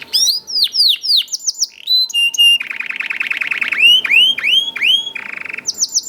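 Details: Young canary in lively song, used to prompt other canaries to sing: varied high descending whistles, quick chirp groups and buzzy rolling trills, with brief pauses between phrases.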